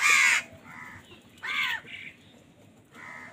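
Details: Crows squabbling over food: one very loud harsh caw, then softer nasal caws, a second strong arched caw and a final quieter one, with low background noise.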